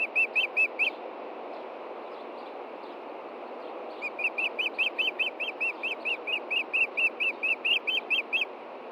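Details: Osprey at its Montana nest, evening of 23 June 2013, looking around for a fish the female had hidden. Four piercing chirps, a pause of about three seconds, then a long run of some sixteen rapid whistled notes.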